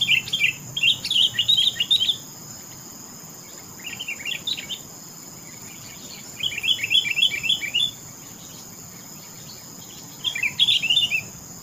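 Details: Sooty-headed bulbul singing: four bursts of quick, chirpy notes, each lasting one to two seconds and separated by short pauses. A steady faint hiss runs underneath.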